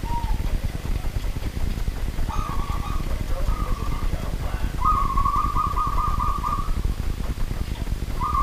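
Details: Night-time zebra dove of the local wild type: a series of short mid-pitched coos that builds into a longer, sustained trilled phrase, heard through constant hiss and low-frequency noise.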